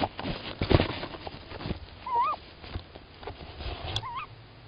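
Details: In Estonia on 1 April 2018 at 20:31, a male tawny owl calls as the female leaves the nest with one egg still there. Two short, quavering notes about two seconds apart, half-masked by nearby thumps and rustling.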